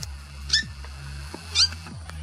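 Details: Two brief, piercing squawks about a second apart from a Purple Swamphen family warning teen chicks of a Red-bellied Black Snake, Australia, 10 March 2021, with music playing underneath.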